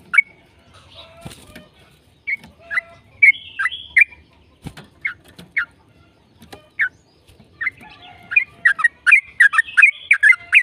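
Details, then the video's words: Yellow-vented bulbul giving 'gacor ropel' song to prompt other bulbuls: scattered single chirps with pauses and a few knocks, building at the end into a dense, rapid burst of bubbly notes. "PANCINGAN TRUCUKAN AGAR BUNYI burung TRUCUKAN GACOR ropel"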